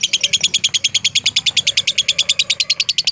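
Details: Lovebird of the fighter type, used as a tutor recording for training: a long, even run of harsh, buzzy chirps repeated rapidly, about eight per second, with a faint low hum beneath.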